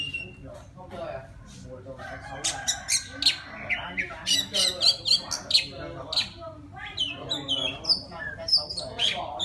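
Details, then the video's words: Wild Oriental magpie-robin singing to call a female: a quiet start, then rapid bursts of sharp, squeaky notes and high whistles, about four per second. Low, voice-like sounds are mixed in. "Tiếng choè than rừng hót gọi mái"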